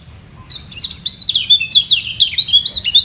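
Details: White-eye in a vocal battle to keep its position at the top against a rival below; a steady stream of quick, high, sweet twittering notes with slurred up-and-down chirps.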